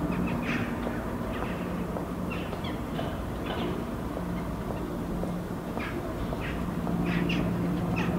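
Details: Eurasian jackdaws interacting on a rooftop in Helsinki, Finland, on an October 2015 evening: short, sharp 'chak' notes in irregular bursts, several per second at times, over a low hum of distant traffic.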